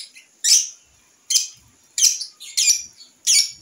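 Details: Young lovebird learning to sing, tried out on a porch: five separate harsh, high squawks, each short and buzzy, spaced roughly half a second to a second apart, with quiet gaps between.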